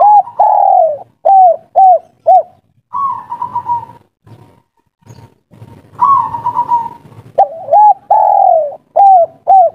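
A spotted dove coos to a female: soft, hollow, low notes in quick repeated groups, broken by longer rolling coos.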